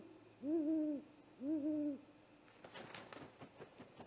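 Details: A great horned owl raids a great gray owl's nest at night, 30 March 2018, filmed by a live nest cam; two strong low hoots, each with a humped double peak, then scattered scraping and knocking noises.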